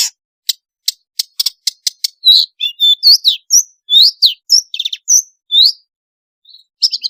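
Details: Long-tailed shrike singing an energetic varied song meant to prompt lazy shrikes to sing: spaced dry clicking ticks first, then a tumbling mix of high whistled slurs and chirps.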